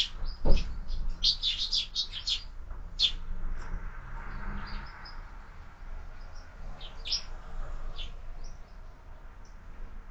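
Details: Morning sparrows at a feeder fixed to a window chirp in a few scattered high bursts, with a soft thump near the start and low background rumble between calls.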